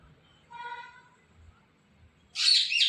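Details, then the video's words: Rose-ringed parakeet giving a steady harmonic tone, then a loud, harsh, broadband screech lasting about half a second, over a quiet background. "Ringneck Parrot Talking Mithu Mithu Mithu"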